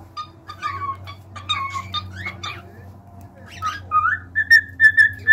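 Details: Cockatiels chatter in fast scratchy, clicking notes, then move into a sequence of short, bright whistles repeated at an even pace toward the end.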